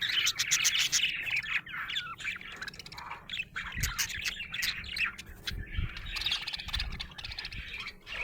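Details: A happy budgie chirps and squawks in a loud, lively warble, rapid chattering notes with harsh squawks mixed in, and a few low thumps in the background.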